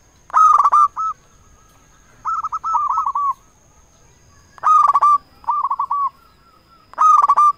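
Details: Zebra dove of a local Indonesian strain, a lure bird meant to make rivals answer and sing; rhythmic cooing phrases, each a harsh rasping start followed by quick rolling notes, repeat about every two seconds over a quiet background.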